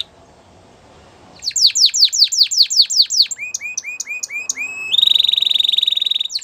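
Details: Canary singing, possibly a Timbrado or training song. It starts with a run of fast repeated downslurred notes, then a series of rising whistles, and ends in a steady, bright, rapid trill. A faint low hum comes before the song.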